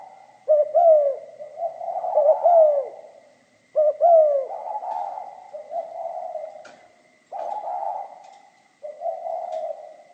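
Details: Spotted dove song in the pha kim style: stuttered double notes and long, mellow, falling coos in repeated phrases, plus a soft click and a steady faint high hum.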